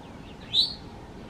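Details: Eastern towhee foraging on the ground in a backyard in the mountains of North Carolina at breakfast time, giving a single short, high, slightly rising whistle, clear against a quiet background.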